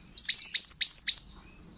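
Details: Close, loud pied bushchat song phrase, about seven crisp hooked whistles delivered in one second, then silence; from a recording used to train other birds.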